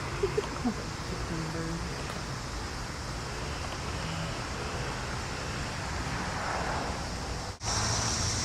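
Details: A steady rushing wash like surf or running water, with faint music underneath and a brief cut-out near the end; no animal calls.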